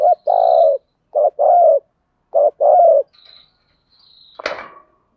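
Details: Spotted dove used as a decoy to lure wild doves, cooing in low husky phrases of a short note and a longer coo, three times, followed by faint high chirps and a sharp click.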